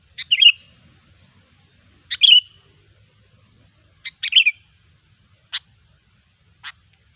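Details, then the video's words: Wild sooty-headed bulbul repeating short bubbly whistled phrases about every two seconds, followed by two single sharp clipped notes, with a quiet background. "suara burung kutilang ASLI ALAM LIAR"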